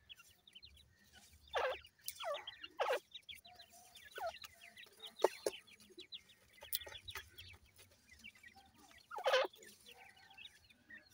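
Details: Grey francolin chicks peep steadily in short high notes, many overlapping, while feeding and playing; loud knocking thuds break in every few seconds.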